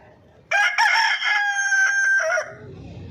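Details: Aseel chicken on a farm of fifty desi hens where hens are hatching eggs, giving a loud, drawn-out, harsh crowing cry of about two seconds with a brief break near the start, over quiet background.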